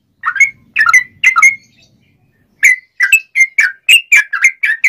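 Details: Sooty-headed bulbul singing in excited 'ngobra' style, used as a tutor song and as a lure for trapping wild birds: sharp, clear whistled phrases, three spaced notes, a pause, then a quicker run of bright repeated notes; otherwise quiet.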